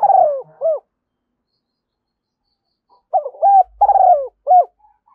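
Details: Female spotted dove decoy calls used to lure wild doves, in the thúc gù and gáy gọi styles: a short burst of throaty, rolling mid-pitched coos, a two-second silence, then another series of three to four coo notes.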